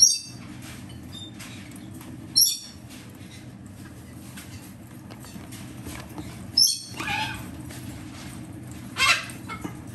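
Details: Three young green-cheeked parakeets, captive chicks from mid-July 2024 (two males, one yellow-sided female), utter four scattered raspy squawks across ten seconds, irregularly spaced, the later ones longer and hoarse, against a constant low indoor hum.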